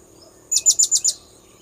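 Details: Blue-crowned hanging parrot call used for luring birds, five shrill, very high notes fired rapidly and evenly, each sharp and short, against near silence.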